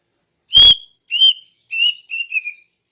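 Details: Female greater green leafbird in the morning, calling to lure males: four clear whistled notes, the first loud and abrupt, the later ones slurred and slightly falling, spaced about half a second apart.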